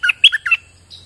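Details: Streak-eared bulbul (nok dok taeng), a kept singing bird, in the rain: three or four quick, harsh chirped notes in a short burst, then a faint high note.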